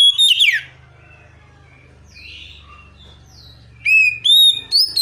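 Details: Kacer (Oriental magpie-robin) tutor song with imitations and calling tones. A sharp downslurred whistle is followed by faint scattered notes over a low steady hum, then a loud burst of ringing, rising whistles.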